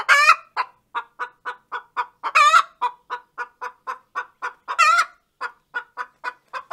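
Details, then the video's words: Hen's laying song after laying an egg: a steady run of short, clipped clucks about three per second, broken every two to three seconds by a loud, drawn-out, rising-falling squawk, all close and clear with no background noise. "𝐓𝐡𝐞 𝐌𝐞𝐥𝐨𝐝𝐢𝐜 𝐒𝐨𝐮𝐧𝐝 𝐨𝐟 𝐚 𝐇𝐞𝐧'𝐬 𝐋𝐚𝐲𝐢𝐧𝐠 𝐒𝐨𝐧𝐠"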